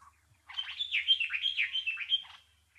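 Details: Bulbul song: a lively two-second run of rapid, high warbled chirps and slurred whistles, rising and dipping in quick succession, with a faint low hum beneath.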